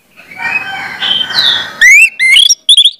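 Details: Orange-headed thrush song as a lure for young birds: a long rough, chattering warble at the start, then clear rising whistles in three short, loud bursts.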